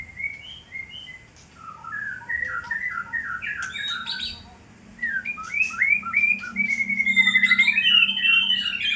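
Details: White-rumped shama in fighter style: varied whistled phrases with rolling notes sliding up and down, a brief lull near the middle, then a long quavering whistled trill rising toward the end; faint low hum underneath.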